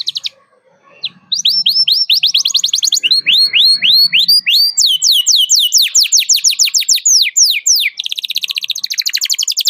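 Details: Canary singing to provoke a rival, a tutor recording for young birds: after a brief pause, rapid repeated down-slurred whistles at varying pitches run into dense high trills, with faint room noise.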